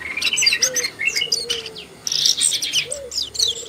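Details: Asian brown flycatcher (Muscicapa dauurica) calling: dense, thin high chirps and short twittering notes in quick bursts, with a break near two seconds, over soft low whistled notes from another bird.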